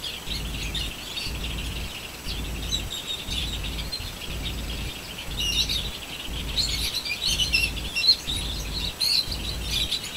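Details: Many birds chirping together in a dense, overlapping chatter of short high twitters and tweets, growing busier and louder in the second half, over a steady pulsing low rumble of wind or handling noise.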